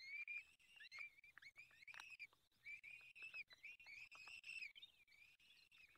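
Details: Peregrine falcon calling at the nest during an evening feeding in the Barycz Valley on 23 April 2020; continuous run of thin, wheezy, harmonic calls that rise and fall, overlapping almost without pause, with brief noisy scratches among them.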